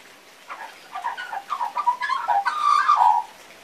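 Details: Still-learning song of a young magpie: soft broken warbling that builds into a louder, clearer whistled phrase before stopping abruptly.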